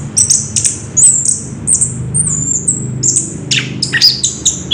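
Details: Recorded 3 March 2016, a caged orange-headed thrush gives a wild rolling song of high, thin sliding whistles followed by sharp descending chips, over a faint low background hum.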